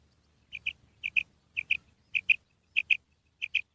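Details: Female quail, one of six kinds of call: paired, sharp, high chirps, like 'pit-pit', repeated about every half second in six pairs, against a faint low hum.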